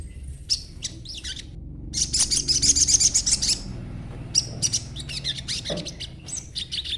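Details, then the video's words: Crimson sunbird, young and green, chattering to prompt other birds to answer; rapid high twittering bursts, a loud trill in the middle, then broken chirpy phrases. "sogon muda ijoan ngriwik coba dengarkan ocehanya pasti nyaut bunyi sogonmu"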